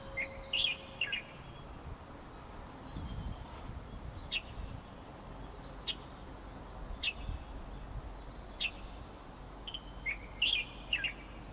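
Light-vented bulbul giving short, sharp chirps every second or two, with fuller chattering phrases at the start and end, over a low outdoor rumble.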